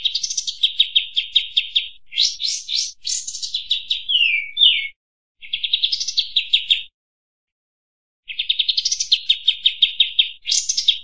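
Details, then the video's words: A kampas tembak songbird in full song, used as a master recording for training and luring birds, sings fast bursts of sharp chattering repeated notes with a few rising and falling sweeps, broken by short pauses. "Suara masteran burung kampas tembak"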